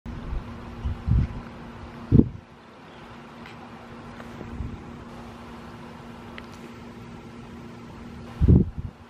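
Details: Steady low mechanical hum like a fan or engine, broken by a few loud low thumps, with no animal calls heard.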